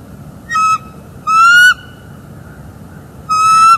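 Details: On a December 2021 morning at a northeast Florida nest, a bald eagle utters three clear, harmonic squealing notes, the middle one longest and gently rising, recorded through a live cam during mating and incubation.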